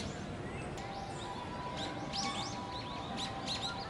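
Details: Little grebe chicks, two siblings about 50 days after hatching, on a park pond on 25 November 2018. Thin rising whistled peeps come in quick clusters over a steady background hum.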